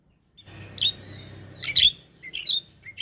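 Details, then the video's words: Javan myna training recording for cage birds: a thin steady whistle, then sharp high chirps and squeaky bursts separated by short pauses, over a faint low hum. "Masteran Burung Jalak"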